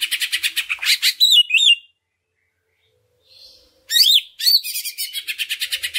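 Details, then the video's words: Greater green leafbird song as a lure for other leafbirds: quick rattling repeated notes and looping whistled slurs, a silent stretch with a faint soft note, then more curling whistles and a fast rattle. "Pancingan Cucak Ijo Sangat Ampuh Untuk Menaikan Mental Ijo Lain Agar Mau Jamtrok Bongkar Isian"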